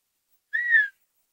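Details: Male Redhead duck on water calls to a female as a display and mating call, a drawn-out, nasal, cat-like mew lasting under half a second that rises slightly then eases off, with silence before and after.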